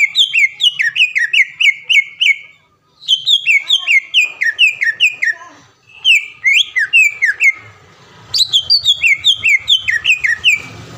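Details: Greater green leafbird, a caged contest bird from Palembang, singing rapid series of sharp falling whistles in three bursts separated by brief silences, faint hum at the end.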